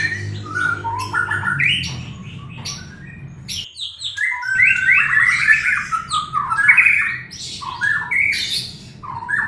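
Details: Lure song of a white-rumped shama meant to coax a reluctant bird into singing; rich, fast-changing whistles, trills and chattering notes pour out continuously, with a short pause near the middle and a faint low hum beneath.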